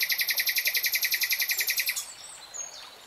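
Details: Nightingale pouring out a loud, very fast and regular run of about thirty identical throaty notes over two seconds, then a few soft high notes and faint background twittering.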